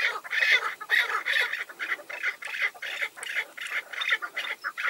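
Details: Tethered chukar decoy and wild males calling together: a steady run of loud, coarse chuk bursts, roughly two or three each second, with no pauses across five seconds.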